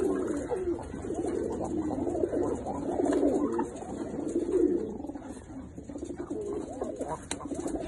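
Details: Low, throaty cooing from a collection of Mukhi pigeons in red, black, yellow and silver colours, many overlapping rolling phrases swelling and fading over about eight seconds, with faint voices in the background.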